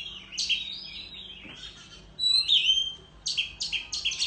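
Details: {'text': 'Competitive song of an Oriental magpie-robin displaying with fanned tail in the countryside; scratchy notes and a pause, then a loud whistled phrase followed by harsh chattering bursts.'}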